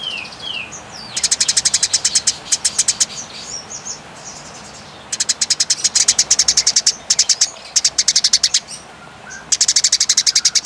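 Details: Eurasian tree sparrow fighting calls in a clear tutor recording: long dragging trains of rapid, high, sharp chirps, about seven per second, in bursts of one to two seconds, with a few thin rising notes at the start.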